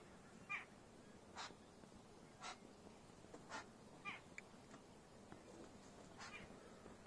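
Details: Red-billed blue magpie at Sitabani Wildlife Reserve near Jim Corbett, Ramnagar, India, recorded while birding from a terrace, gives harsh, rasping, somewhat mewing calls, roughly once a second with uneven gaps, over a soft background hiss.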